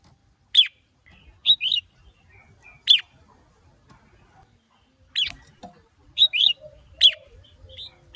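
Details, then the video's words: Red-whiskered bulbul, a male spurred on by a female, singing in spaced bursts: sharp downslurred whistles and quick paired chirps around the upper-middle range, about seven phrases over eight seconds, with quiet gaps and faint low background rumble. "Chào Mào Mái Kích Trống Căng Lửa"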